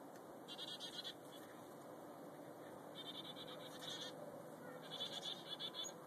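Chickadee calls come in three harsh, buzzy bursts about two seconds apart, each a quick run of scratchy notes, over steady background hiss.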